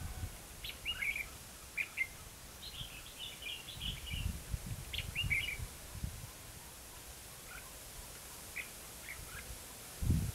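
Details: Red-whiskered bulbul at a trapping site in Hòa Mạc, Hà Nam, Vietnam: short, chirpy, warbled phrases at mid-high pitch come in scattered bursts over the first six seconds, then sparse faint notes, over low rumbling background noise and a closing thump.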